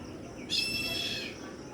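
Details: Baby Indian grey hornbills: one thin, high, harmonic squeal lasting under a second, starting abruptly and fading, over quiet background.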